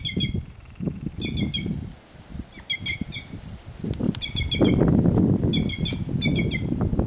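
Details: Wild white-naped jay singing free in nature: short bursts of three to five bright, nasal, ringing notes, repeated roughly every second, over a steady low rumble of wind and rustling leaves.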